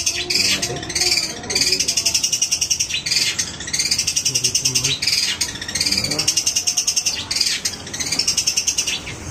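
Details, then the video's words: Long-tailed shrike in full, vigorous song, pouring out dense high-pitched chattering trills and rattles in bursts over several seconds, against a steady background hiss. "Burung cendet gacor"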